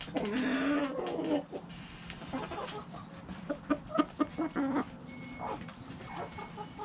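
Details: Backyard hens clucking: a loud harmonic cackle opens, followed by a rapid series of short, repeated clucks over a low background hum.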